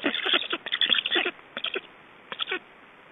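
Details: Wild black stork chicks at their Estonian nest at feeding time, evening of 6 July 2012: loud scratchy, rasping bursts in quick series, then shorter groups after pauses.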